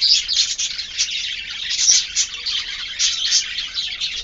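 A budgerigar warbles a continuous, high chattering stream of rapid chirps, clicks and squeaks.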